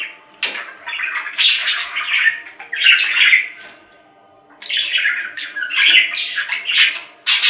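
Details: Budgerigar chattering in bursts of scratchy, warbling squawks and chirps, with a quiet pause near the middle before the busy chatter resumes, ending on a sharp chirp.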